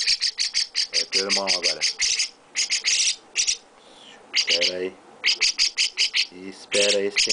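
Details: Young chestnut-cheeked starling calling for food from its owner: bursts of quick, harsh, high-pitched chirps in rows, separated by short pauses and a person's spoken words.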